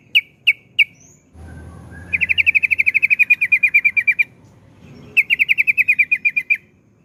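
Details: Yellow-vented bulbul singing a long rapid trill known locally as ropel panjang: three sharp chirps, then a quick run of clipped notes at about five per second, a pause, and a second fast burst. Faint low hum underneath.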